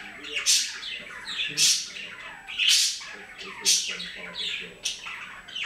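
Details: A great tit at a bird feeder, a daily visitor, gives harsh, rasping, high calls, each a short noisy burst, repeated roughly once a second with a faint chatter between them.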